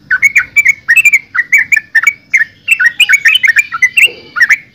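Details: Lively yellow-vented bulbul (trucukan) song: rapid, rich bubbling notes in quick clusters, nearly continuous and loud.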